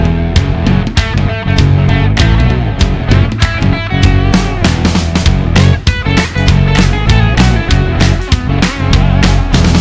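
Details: Loud rock-style music with driving drum hits and guitar, and no animal calls.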